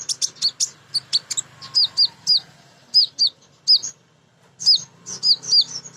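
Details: Female kolibri ninja sunbird in energetic song, used as a lure to get other birds singing: rapid high chirps and sharp curved notes repeated in quick bursts, with a short pause near the middle.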